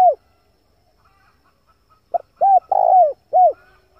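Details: A male spotted dove's coo phrase, used to lure wild doves: a trailing falling coo, a pause, then a short note, a rounded coo, a long rolling coo and a final falling coo, otherwise quiet.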